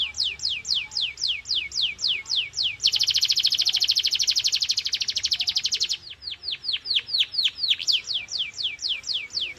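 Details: Canary song meant to stimulate young or silent canaries: a run of crisp descending slurred notes, a loud rapid buzzy trill lasting about three seconds, then more quick falling notes with a short repeated phrase.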